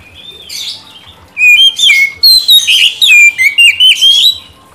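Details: Oriental magpie-robin song for prompting a stalled bird to sing. Faint scratchy notes lead into a dense burst of loud whistles and quick slurs, mixed with harsh buzzy sounds.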